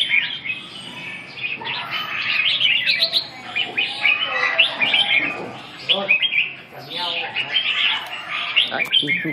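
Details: Red-whiskered bulbul, recorded 2/6/2012, pouring out dense chirping and warbling phrases in long runs, separated by a short quieter break near the middle, with possible faint voices behind.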